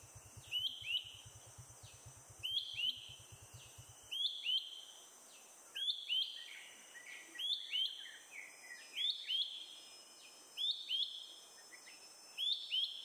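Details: Malaysian hawk-cuckoo (Hierococcyx fugax) singing in Selangor, Malaysia, April 2021, on a morning after feeding on a caterpillar; shrill rising two-note phrases repeated every one to two seconds, with a low pulsing hum in the first four seconds.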